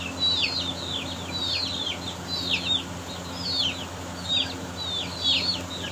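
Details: Peeping from Aseel chicks as they fight. Piercing, descending chirps come in clustered pairs and triplets roughly every half second to second, steady and loud throughout, with a low background hum.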